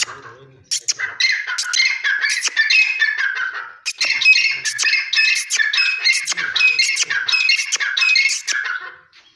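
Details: Partridges fighting, Dakhni teetar against Irani teetar: harsh, squawky calls run almost continuously in overlapping bursts, broken by sharp clicks, with a short pause near four seconds.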